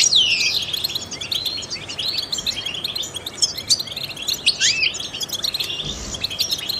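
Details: European goldfinch, a trained singer used to stimulate other songbirds: an opening descending slurred whistle, then fast liquid twitters and rising upswept notes in a continuous jumble.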